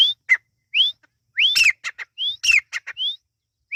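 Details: Irani partridge (teetar) chicks give thin, rising whistled peeps mixed with short, sharp chirps, about three or four notes a second in a quick, uneven series.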